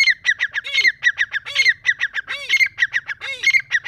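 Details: Deccani grey francolin in breeding season with a continuous rasping call sequence. Sharp clicking notes are interspersed with low swooping notes about every 0.9 seconds, over a faint low hum.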